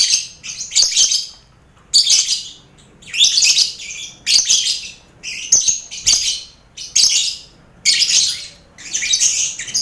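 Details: Caged lovebird colony mixed with finches and quail, used to train contest lovebirds' nerve; loud squeaky, rasping chatter in separate bursts roughly once a second, each burst dense and shrill, with brief quiet gaps between them.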